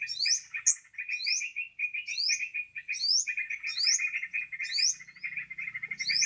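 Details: Bird-trapping lure of a sooty-headed bulbul: unbroken chattering runs with repeated steep upward whistles, one clear short whistle near the start, and a faint low hum later on.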